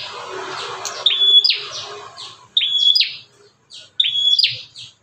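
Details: Fierce bar-winged prinia outside a cage, a call said to provoke young or silent prinias into singing. Thin level whistles, each ending in a buzzy downward rasp, come three times in about five seconds.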